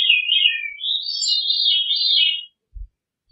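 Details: Veery singing one sustained, smoothly wavering phrase of reedy, fluting notes lasting over two seconds, followed by a faint low thump.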